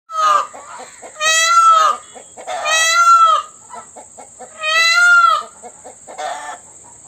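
A peacock gives three loud, wailing, nasal screams about two seconds apart, with soft clucking between and a steady high-pitched whine behind.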